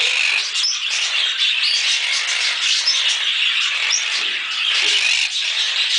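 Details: A pet pair of monk (quaker) parakeets keeps up a dense, harsh chatter of overlapping squawks and screeches.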